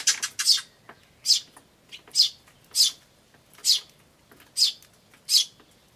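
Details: Sparrow chicks begging with "chi chi" notes among calling adults, recorded 10 May 2013; rapid opening cluster of chirps, then a regular series of loud high chirps roughly every 0.8 seconds.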